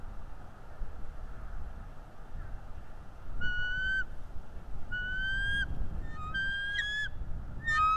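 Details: Live nest cam of a bald eagle driving off an intruder eagle: a series of high whistled notes with harsh chittering overtones, each about half a second long, quickening and becoming more excited toward the end, over soft wind noise.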